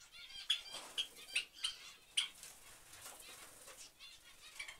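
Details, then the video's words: Java sparrows calling as a family: short, high, clipped chirps at irregular intervals, about one per second, over a hissy background with soft rustling. "Java Sparrow Family"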